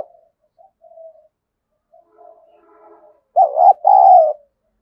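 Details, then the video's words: Decoy spotted dove, its harsh voice used to challenge wild doves. Several seconds of faint, scattered low coos lead up to one loud phrase near the end: a clipped double note followed by a long, rich coo. "Chim Cu Mồi Kích bổi giọng gắt gỏng như chửi bổi vậy, bổi nào nghe cũng ghét"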